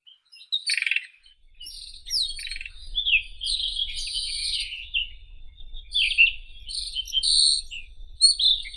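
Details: White-throated robin song: a short rattle, then a long run of varied whistles, slurs and buzzy notes, over a steady low rumble.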